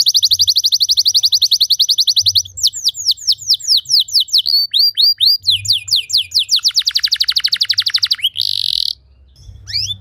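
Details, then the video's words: Canary song used to train other canaries: a long even high trill, then varied downslurred whistles and a rolling buzzy trill, ending in a short harsh burst. "Putar 10 Detik Saja Kenari Lain Bisa Ngeplong Anti Ngeriwik Gacor Nembak Panjang"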